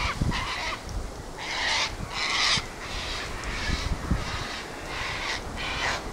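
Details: Windy day where Sulphur-crested cockatoos gather: repeated short, harsh squawks roughly every half second to second from several birds, with wind gusts in the background.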